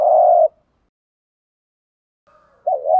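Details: Spotted dove in the morning, male and female birds' calling used for stirring trained doves: one steady low coo, a long gap of silence, then a faint note and a wavering coo at the end.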